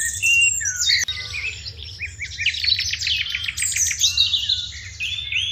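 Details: Morning chirping of house sparrows, a loud crowded chorus of sharp high chirps and quick trills running together, with a faint low rumble in the background.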